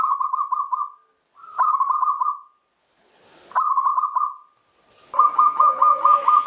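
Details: Zebra dove, local perkutut from Java, singing in the Mataram style: repeated cooing phrases of quick rolling notes, each about a second long with short pauses, the last phrase overlaid by a brighter rhythmic chirping.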